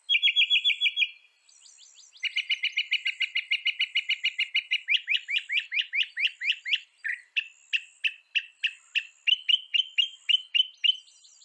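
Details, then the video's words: Northern mockingbird of North America singing in a clean recording: a rapid trill, then a long buzzy rattling run, then shifting series of sharp repeated chirps. The phrases change every couple of seconds. "Veja o canto do pássaro, ave zombeteira"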